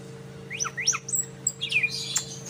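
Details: Greater green leafbird learning the call of the sikatan londo bird: high sharp chirps and short rising and falling whistles, scattered and uneven, over a steady low electrical hum.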